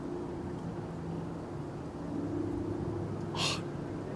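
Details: Low droning hum with steady engine-like tones under broad outdoor noise, broken by one short loud hissing burst near the end and no animal voices.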